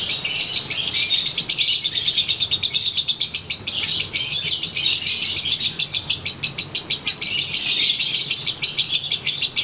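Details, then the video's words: Sunbathing konslet lovebird in a cage keeps up a long daily ngekek: nearly ten seconds of fast, sharp, high rattling chatter, bursts packed closely, almost no pause. "SANGAT JELAS!! Durasi Volume Gaya Suara ASLI Harian LB WISANGGENI"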